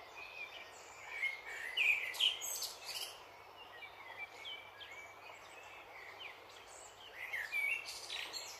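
A dipper gives sharp, high chirps in scattered bursts, strongest near the middle and end, over a steady roar of rushing water.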